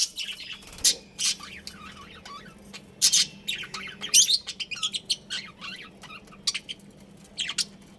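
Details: Pet budgies chirping: bursts of sharp, high squawky chirps and short warbled notes, scattered irregularly with brief loud peaks and quieter chatter between, plus a faint steady low hum indoors.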